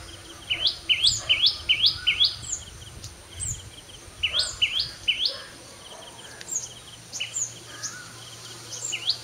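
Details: A sunbird sings at 5:30 AM dawn: rapid runs of bright, high, stepped rising notes, several a second, in repeated bursts with brief pauses, plus faint ticking in the background.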